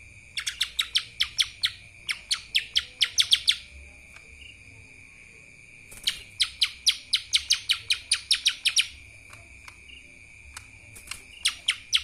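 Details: Lesser green leafbird delivering kapas tembak song in bursts: rapid strings of bright, downward-slurred chirps, about fifteen per burst and several per second, separated by pauses of roughly two seconds, over a steady high tone.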